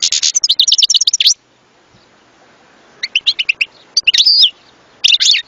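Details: A European goldfinch gives a fast tinkling phrase of high chirps, falls silent, then returns with spaced twitters, a sweeping slurred note and a final buzzy flourish.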